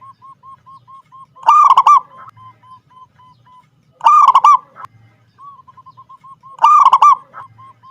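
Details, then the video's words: Local zebra dove singing actively: soft, short mid-pitched coo notes tick along steadily, broken three times by a loud, rough, stuttering burst of cooing about every two and a half seconds. "perkutut lokal gacor Suara bagus"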